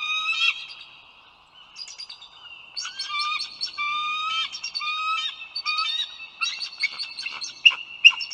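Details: Nesting eagle filmed as the male brings food to the female and one eaglet: a long series of high, thin, stuttering piped notes, uneven bursts rising and falling over several seconds, clear against a quiet background.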